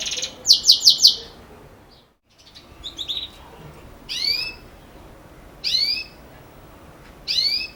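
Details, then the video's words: Belgian canary with 'campainha' style song, here sparse: a short rapid rattle, a pause, then isolated high downslurred whistles spaced about one and a half seconds apart. "Canário Belga Canto Campainha"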